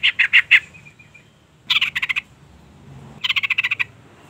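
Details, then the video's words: Sooty-headed bulbul female calling to lure and provoke a male into singing: three bursts of fast, harsh pulsed notes separated by pauses of about a second. "suara panggilan trucukan betina EMOSI gacor pancingan bunyi burung trucuk jantan"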